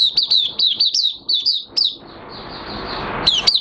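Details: Oriental white-eye in minor moult, caged, singing openly on 3 June 2022: a brief run of high, sharp tweeted notes that stops for a loud hiss, then resumes with two more chirps.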